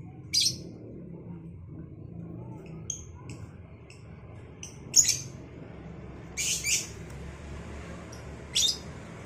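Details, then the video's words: Cobalt and Batman lovebirds answering one another in the morning. Loud, rasping shrieks alternate with short, thin whistled notes, set against a constant low rumble. "Saling Saut Burung Lovebird Cobalt X Batman"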